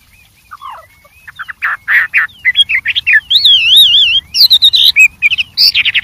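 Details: Wild white-rumped shama singing a highly varied song: quiet low slurs building into loud whistles, rapid chattering notes, and a wavering trilled passage, all in one continuous stream.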